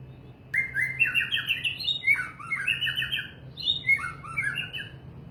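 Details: White-rumped shama delivering three rapid phrases of sliding, looping whistles. Each is fluty and varied and separated by short pauses, with a faint hum behind.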